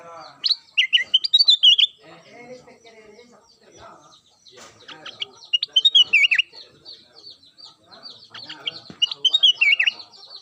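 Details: Daily singing of a ruby-throated bulbul (kutilang emas): three bursts of bright, rapid whistled warbles with downslurred notes, separated by quieter gaps holding soft background clatter and murmurs.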